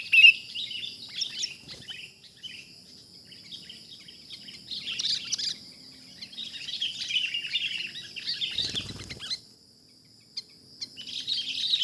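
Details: Wild sooty-headed bulbul during a trapping session: bursts of bubbly, chattering chirps that rise and fall, separated by quieter gaps, over a steady high insect hum and a brief low thump near the end.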